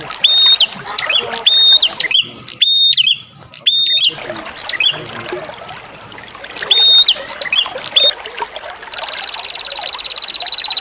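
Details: Bar-winged prinia lure call with a water-trickle background: sharp, high whistled notes with short chips repeat in uneven bursts, broken by brief silent gaps, ending in a fast, even, buzzy trill.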